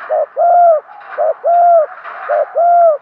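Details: Decoy spotted dove cooing to lure wild doves: a short low coo followed by a longer, arched, mellow coo, the pair repeated three times at an even pace over faint background hiss.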